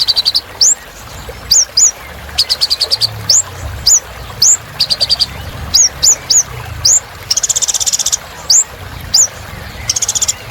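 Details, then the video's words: Little spiderhunter in full song, rapid-fire trills of sharp pulses interleaved with high upward-slurred whistles in twos and threes, delivered continuously. "Kolibri Ninja Gacor Untuk Terapi Burung Macet Bunyi"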